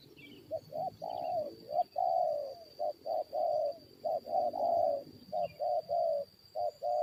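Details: Spotted dove used as a decoy to lure and fight wild forest birds, cooing steadily: low, mellow, rounded notes in quick runs of two to four, some drawn out, repeating through the whole stretch with faint insects behind.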